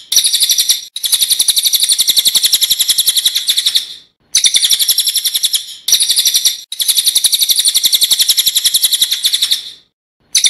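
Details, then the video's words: A cililin sings long, loud, sharp, high rapid rolling trills in natural voice, each burst running several seconds with brief pauses between; no other sounds stand out. "Burung Cililin gacor ngeroll full nembak suara alami"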